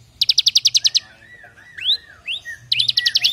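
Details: Bar-winged prinia, caged, giving its 'brem AK47' song for training other birds: a machine-gun trill of about ten pulses, a few upslurred whistles, then another rapid trill.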